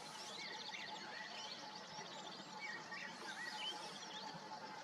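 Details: Three young white-tailed eagle chicks, just awake on the morning of 16 April at the Noordwaard near Makkum, beg with thin, high squealing peeps in irregular bursts while being fed, over a steady hiss and a faint electrical hum.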